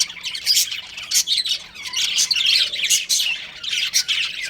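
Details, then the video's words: Breeding pair of pet budgerigars trading harsh squawks and clustered scratchy chirps, loud bursts roughly every half second to second separated by softer chatter. "Budgies Chirping Sounds"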